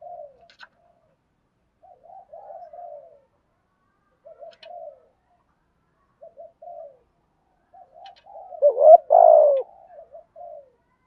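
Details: Spotted dove cooing in the thúc gù style used to attract wild doves. Faint, short murmuring coos are spaced a couple of seconds apart, then one louder, rich two-note coo comes near the end.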